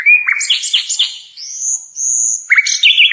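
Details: Flycatcher known locally as sikatan londo, recorded as a master song for training songbirds: short chirps, then a long high pure whistle gliding slightly upward, ending in fast downslurred notes.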